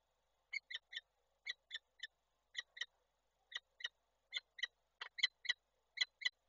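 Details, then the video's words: Peregrine falcon at a nest in Koszalin, Poland, on 28 January 2024, calling while the male visits the female, captured by an online nest camera. Harsh, rasping notes come in pairs and triplets about once per second. "Nila z wizytą samca woła"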